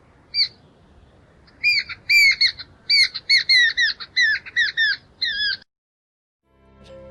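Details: Sentinel Jungle Babbler on a bush top calling to flock-mates picking insects and seeds below; harsh squeaky squawks delivered in a quick irregular run of about a dozen notes, then silence.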